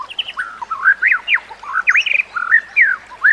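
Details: Captive-training song of a white-rumped shama: a steady string of clear, looping whistled notes that rise and fall, each phrase rich and mellow, over a quiet background of nature sounds.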